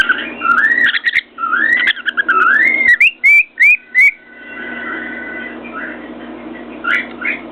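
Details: Pet cockatiel perched on top of its cage, banging its beak on a mirror and whistling contentedly: rolling, slurred whistled phrases rising and falling, then a burst of sharp tapping clicks and a long steady tone before faint chirps.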